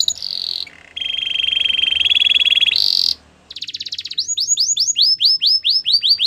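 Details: Singing Belgian canary, training song for canaries: a held buzzy trill, a long even rattling tour, a brief silence, then a fast rattle and a run of bright swooping whistled notes repeated about four per second.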